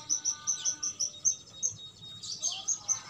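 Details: Two-month-old young canary singing a lure song to prompt singing: a run of high, sharp chirped notes repeated about every fifth of a second, then a brief pause and a denser burst of twittering notes.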